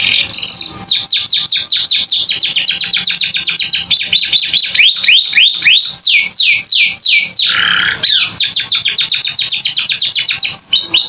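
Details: Singing canary in 'gacor isian' style, recorded to train young birds: a brief buzz, then a long fast trill of crisp downslurred notes, a slower swooping stretch, a buzzy note and another rapid trill.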